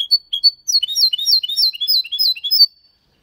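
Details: Goldfinch-canary mule singing clearly in the Málaga style: three brisk introductory chirps lead into a rapid, tinkling stream of high, slurred notes for about two seconds, then silence.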